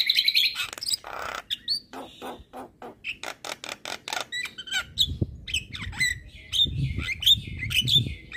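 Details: Javan myna in energetic song that riles neighbouring mynas: grating squawks and a quick series of dry clicks, followed by sharp, upslurred whistles over a low background rumble.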